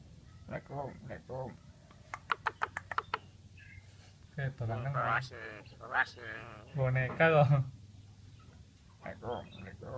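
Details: Human voice imitation by an Asian pied starling: scattered clicks and short chatter lead into a series of throaty, speech-like phrases of varying length, broken by pauses, over a low humming background.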